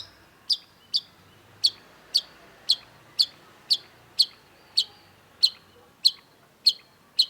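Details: Cendet, the long-tailed shrike, calling repeatedly in a tutor recording: one sharp, clicky high note about every half second, very steady and even over the whole stretch, with little else audible.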